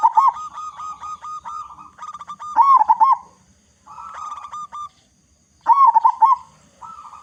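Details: Loud local zebra dove song intended as a lure for all doves to sing sooner; three bursts of rapid bubbling coos, each trailed by steady, evenly spaced lower notes, with quiet gaps between.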